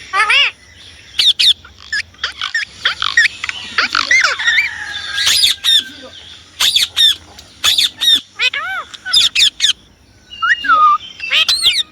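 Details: Indian ringneck parrot giving a rapid series of piercing squawks and chattering notes, a brief pause, then more shrill calls ending in a downward whistle.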